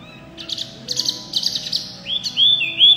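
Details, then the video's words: White-eye in full loud song: scratchy, buzzy chattering bursts at first, then switching to sustained high whistled notes that rise and flatten out, with low background hum throughout. "wambi mini gacor full suara kencang"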